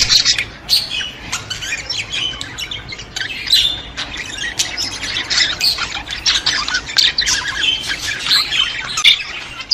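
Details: Budgerigars chattering to stimulate budgies: long, busy run of scratchy squawks, clicks and chirps, rising and falling in loudness, several birds seemingly overlapping throughout.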